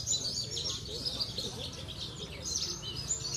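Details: Caged Javan bush lark of the Parva type, a steady champion in singing contests in Cilacap, delivers a continuous high-pitched chatter of quick twittering notes and short trills, with faint lower mumbling in the background.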